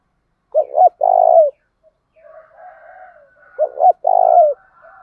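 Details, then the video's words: Spotted dove lure bird urging a fight; two low cooing phrases, each a short doubled note then a drawn-out hoot, with softer distant cooing from another dove in between. "tiếng chim cu gáy mồi giọng thổ đồng, cu gáy thổ pha đồng thúc đấu"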